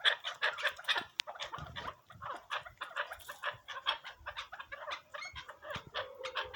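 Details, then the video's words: Dense, clucking chatter from a partridge said to be Pakistani: quick harsh notes run together almost continuously, with a steady low hum entering near the end. "Pakistani partridge"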